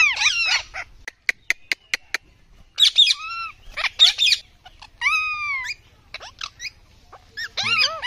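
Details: Harsh chattering bursts from an Indian ringneck parrot, a rose-ringed parakeet, broken by a few sharp clicks, with repeated descending whistled squawks in short clusters.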